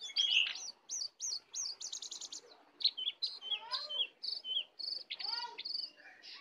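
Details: Sooty-headed bulbul singing in a wild-versus-caged duel with full isian: repeated high looping whistles in quick succession, then broken chirps and rising slurred notes, over a faint background hiss.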